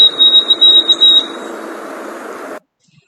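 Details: White-throated Sparrow whistling song, whose long drawn-out notes end on a repeated same note: a pure, high whistled note held just over a second, wavering slightly in strength, over a steady indoor hum.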